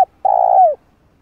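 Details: Spotted dove calling to lure and train a decoy bird: a single long, smooth, low coo that dips slightly at the end, after a clipped note at the start.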